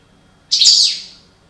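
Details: Breeding pair of European goldfinches of the parva form: a single bright, high twittering burst lasting about half a second, fading quickly into quiet.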